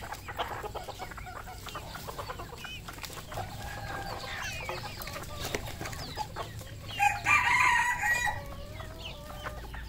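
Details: Red junglefowl on a farm in Cambodia giving repeated short clucks against constant background noise. About three-quarters through, a loud, raspy flurry of squawks rises above the flock before the clucking resumes.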